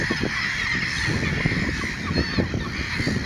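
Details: Caspian gull on 6 January 2017 at the CET site at Champteussé-sur-Baconne, Maine-et-Loire, France, giving harsh, honking calls in quick bursts against a dense, noisy background of other gull voices.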